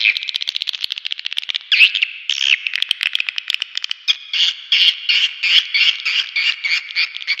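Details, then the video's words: Swiftlets called in with a lure track: pulsing, nasal, high twitters repeated in quick regular beats, the later phrases longer and more rolling. "SUARA PANGGIL WALET ULTIMATUM"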